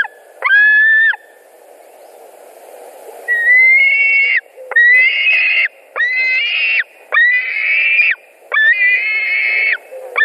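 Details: White-tailed eagles at a nest in Latvia on 2 August 2020 scream during a carp delivery and fights. Loud, harsh, strained yelps repeat roughly every second, each a ringing, slightly wavering cry.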